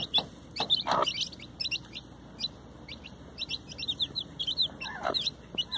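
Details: Chicks beside their mother hen: a steady stream of high, piping peeps from many chicks, with occasional deeper clucks from the hen near the first and fifth seconds.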